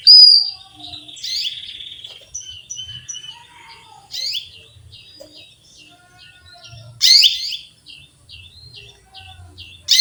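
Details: Chirps of a female canary calling the male, several loud bursting calls spread over ten seconds, each followed by quick rows of short ticking high notes.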